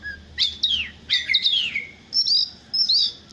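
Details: Oriental magpie-robin singing in the morning: short bursts of bright descending whistles and chirps, each phrase separated by brief gaps, with high thin notes near the end.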